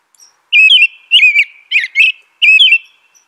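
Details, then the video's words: American robin song, four rounded whistled phrases spaced about half a second apart, each slurring up then down, with a faint high tone between them and no other sounds. "American Robin Song.(Turdus migratorius)."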